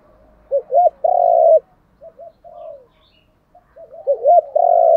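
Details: Decoy spotted dove urging wild doves to call: two rapid repeated coo phrases, each with hooked notes and a long buzzy held note, separated by softer short coos and a gently falling note.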